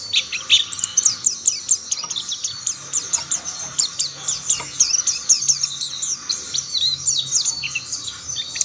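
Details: Mountain white-eyes chiming in with one another: lively, loud, high twittering song, rapid chirps overlapping continuously from several birds.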